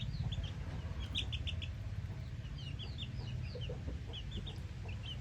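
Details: Chickens and hens calling: many short, high chirps and peeps come in quick, uneven runs through the recording over a steady low rumble.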